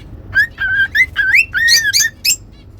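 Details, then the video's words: Pet cockatiels whistling a song meant to teach whistling; a quick sequence of about seven clear whistled notes, several rising sharply, with bright overtones. "Cute Cockatiels Whistling & Singing"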